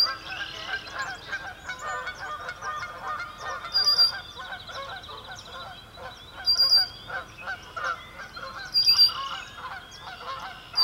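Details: A dense flock of Sandhill cranes at a marsh during a cloudy sunrise gives loud, rolling, trumpeting calls, with several birds calling over one another in overlapping bursts.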